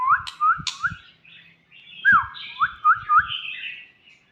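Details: Young White-rumped shama singing repeated rising-and-falling whistled slurs mixed with thin high squeaks and a couple of sharp clicks, over intermittent low thumping sounds.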